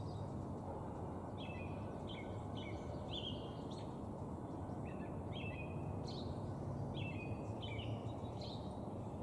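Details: A northern flicker, which the recordist guesses is a male, gives a string of quick, paired two-note calls in short bursts that repeat progressively slower, over a steady low rumble of wind or distant traffic.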